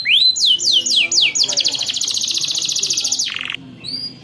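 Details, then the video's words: Canary singing a long rolling song used to lure young canaries into learning to sing: several rapid, sharp, high descending whistled sweeps, then a fast, even high trill, ending in a brief lower buzzy trill and a faint chirp. "KENARI GACOR PANJANG Ngerol Panjang untuk Pancingan Kenari Paud Belajar Bunyi"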